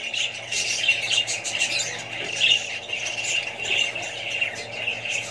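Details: Flock of budgies with young birds: busy overlapping high chirps and scratchy warbles, a constant chattering wall of sound, slightly softer, over a faint steady low hum.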